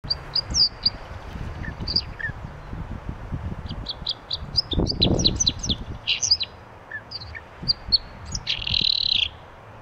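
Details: Common chaffinch giving scattered short, sharp, high chirps and pink-like notes, some clustered in quick bunches, ending in a buzzy rasping burst, over low rumbling background noise.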